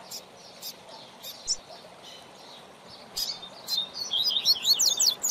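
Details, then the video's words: Coleiro, a double-collared seedeater serving as a tutor for a learning bird, gives a few scattered high chips before breaking into a rapid, bright twittering run of slurred whistles near the end. "Manejo de Fibra do Seu Coleiro ou Papacapim - Coleiro Professor Aprendizado"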